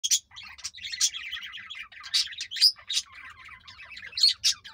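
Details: A pair of green rose-ringed parakeets (ringnecks) trying to mate give a busy stream of harsh chattering and sharp squeaky notes, with shrill screeches roughly every second, high-pitched and continuous.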